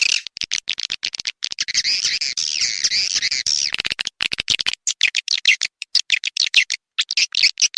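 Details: Edible-nest swiftlet call for drawing birds to a nest house, Indonesia: a rapid stream of sharp high clicks, then a sustained wavering buzzy twitter, followed by irregular click bursts and short chirps.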